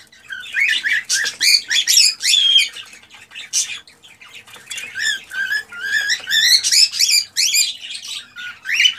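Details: Male cockatiel in excited song meant to encourage a female to mate and breed; a continuous stream of rapid chirps and whistled notes, some rising, steady loudness throughout with brief dips.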